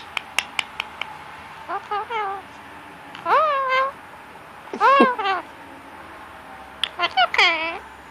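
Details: Pet male Indian ringneck parakeet talking at random during cuddle time, his favourite time of day, to get attention and petting; a few sharp clicks, then four short voice-like phrases with wavering, bending pitch, separated by pauses.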